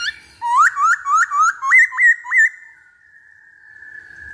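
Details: Black-throated laughingthrush song played as a lure: seven loud, clear whistled notes in quick succession, each sliding upward, the last ones higher, then one long, level whistle that slowly fades.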